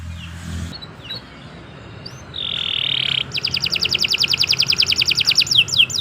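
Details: Canary song recorded as a long, fast training track: scattered short whistles and a buzzy tone, then a rapid rattling trill of evenly repeated notes ending in downward sweeps, over faint background hiss.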